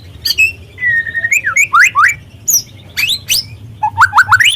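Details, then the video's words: White-rumped shama (murai trotol) lure song intended to excite birds to sing: a long level whistle breaks into looping slurred notes, then repeated steep upsweeps stepping higher at the end. "pancingan murai trotol agar terangsang untuk bunyi"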